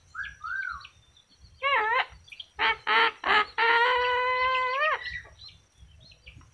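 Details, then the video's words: Talking yellow-crested cockatoo producing a run of rich, voice-like syllables with stacked harmonics, short chopped bursts and one long drawn-out vowel-like phrase, with a faint low background rumble. "kakatua jambul kuning bisa bicara"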